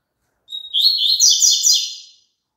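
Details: Playback of double-collared seedeater song for caged birds to sing along: a clean whistled lead-in sliding into a rapid cascade of buzzy, rattling trill notes, about one and a half seconds long.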